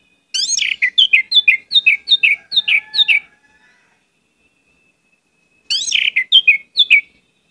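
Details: Orange-headed thrush singing actively with many varied phrases, used as a lure to prompt other birds to sing: two bursts of quick, slurred, whistled notes, about ten descending elements in the first burst, repeated after a pause, over a quiet background.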